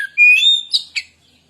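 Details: White-rumped shama lure song fragment: a clear, rising pure whistle followed by two sharp, buzzy chip notes, then silence.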